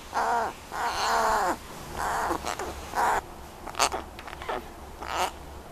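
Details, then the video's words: An American crow named Jaz gives four hoarse, drawn-out caws in quick succession, then softer clicks, rattles and short grating notes. "American Crow makes some noise"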